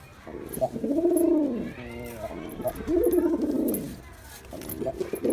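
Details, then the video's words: Male pigeon cooing: two full, arching, vibrato coos with a brief rattling note between them, then a quieter gap before another coo begins. "Pigeon Sound Effect (Ultra High Quality) || Male Pigeon Super Performance"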